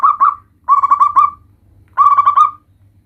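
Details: Chatty local zebra dove, part of a compilation of its varied calls meant to provoke other doves into answering: three bursts of rapid, bubbling coo notes, each burst trailing off into a drawn-out tone, over a faint low hum.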